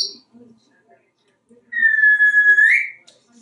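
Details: A talkative pet African grey parrot, hatched in 1997 and kept in a Texas home, whistles in the bathroom on the shower: one long, clear whistle over a second, steady mid pitch, swooping upward at the end, faint room noises.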